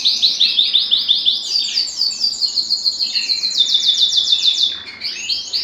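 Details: A Belgian canary delivers rapid, rattling trills of fast repeated high notes, shifting pitch slightly between series, sung to excite males and bring hens into breeding condition.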